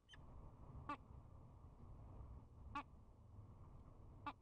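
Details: Spring courtship at a peregrine falcon nest camera: bowing birds give three or four clipped chupping calls about every one to two seconds, with a steady low rumble beneath.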